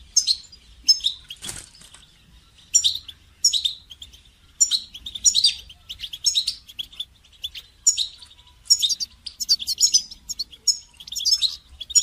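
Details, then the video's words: Goldfinch song meant for songbird training, a sustained run of quick high twitters and liquid chirps in clustered phrases about every second, with one sharp broadband click early on. "goldfinch song training"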